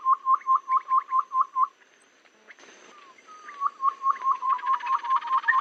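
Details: Babbler lure sound for trapping, said to work in any season. Rapid upswept notes repeat evenly, stop for a quiet gap with a soft slurred whistle, then resume in a steady run.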